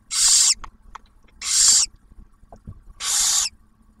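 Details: Barn owls at an Ohio refuge nest camera, the male delivering food and the female feeding their first hatched owlet; three long, harsh, noisy screeches in four seconds with soft clicks and taps between.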